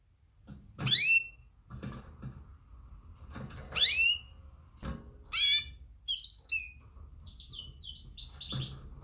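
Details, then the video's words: Female canary calling males: several steep downslurred chirps among cage clatter and knocking, followed by a few short warbled phrases. "Best female canary mating call - female calls males - female sounds chirps"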